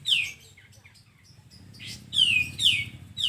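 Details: Sooty-headed bulbul singing for bird training: a sharp falling whistle, soft scattered chirps, then three loud descending whistled notes close together over a low background hum.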